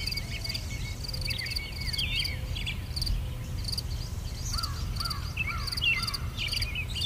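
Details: Wild birds singing in a garden in England: short chirps and twittering notes, with a few clear down-slurred whistles near the end, over a steady rhythmic insect-like buzzing and low rumbling background noise.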